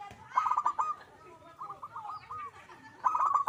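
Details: Energetic zebra dove song: three short runs of fast, bubbling coos on a steady low pitch, the middle run softer and more drawn out than the others.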